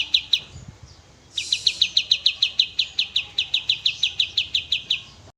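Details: Oriental white-eye master recording for cage birds, long clear tembak song: a couple of opening chirps, a short hiss, then a fast regular series of high sharp notes.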